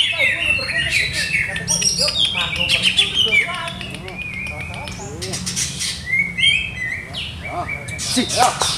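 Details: Contest-trained caged Greater green leafbird giving a busy, rambling song of quick chirps, rising and falling whistles and short trills, with faint talking in the background.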